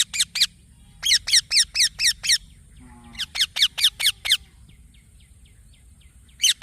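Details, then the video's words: Green baby parrot chirping in quick rasping runs of high notes, with softer faint chirps trailing after the louder series and a brief low rustle partway through. "Green Baby Parrot Chirping Sounds"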